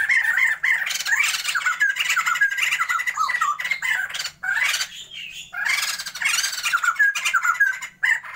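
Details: A caged pair of Sumatran laughingthrushes kept for a breeding attempt sings loudly: dense, raucous laughing chatter with squawky, rising and falling whistled notes, almost continuous, with brief pauses near five and eight seconds.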